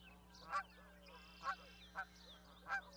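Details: Four distinct nasal honks from Canada geese, spaced roughly half a second to a second apart, each a short bright bark, with faint background chatter and a low steady hum.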